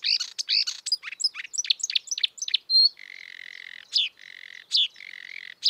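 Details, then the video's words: Wild marsh warbler song opening with quick varied chirps and sweeping notes, then switching to a buzzy, nasal, harsh sustained note repeated between sharp higher chips. "kicauan merdu burung marsh warbler / kerak basi di alam bebas"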